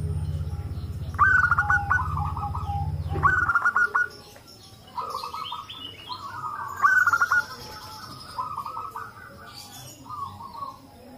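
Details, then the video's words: A chorus of local zebra doves, heard to make young doves start calling, gives rolling bubbly coo phrases that overlap; a low droning hum fills the first few seconds, with faint higher chirps of other birds. "pancingan perkutut lokal agar bunyi - suara rame emang paling ampuh"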